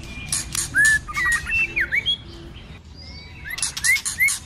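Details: White-rumped shama fighting song: harsh buzzy bursts and a V-shaped whistle, a short pause, then three clear rising-falling whistled notes amid scratchy chatter.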